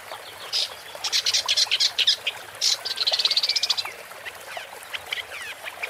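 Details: Woodchat shrike song heard while birdwatching: harsh, scratchy chatter in clustered bursts, then a quick rattling series of high notes, softer scattered notes trailing off against constant background noise.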